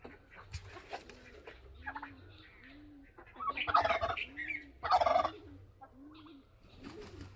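Bourbon Red turkey gobbling in two loud rattling bursts, with soft low clucks and purrs between them.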